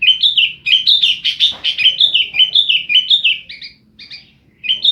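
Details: Kept sooty-headed bulbul from Jember, East Java, Indonesia, singing a lively 'gacor' song full of 'isian' fillers: rapid, bright whistled phrases in quick succession, slurring up and down, with a short pause near the end before resuming.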